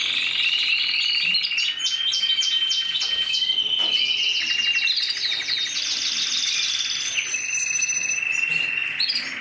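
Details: Mosaic canary in full song, a fast, unbroken stream of bright rolling trills and chattering tours, with sustained high whistled notes woven through and pitch shifting between phrases, loud and continuous over nearly ten seconds.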